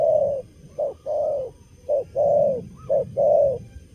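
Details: Spotted dove, young and wild-caught, cooing keenly during moult in the stuttered 'cà lăm lỡ' pattern: short low note then sustained coo, repeated in pairs, with a quick higher upslurred note between phrases.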